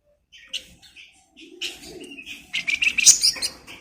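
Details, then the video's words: Flamboyan bird singing steadily, used as a model song for training magpie-robins: scattered high chirps build into a dense, rapid, shrill twittering run with fast trilled notes near the end. "Flamboyan Gacor Bagus'Buat Masteran Burung Murai"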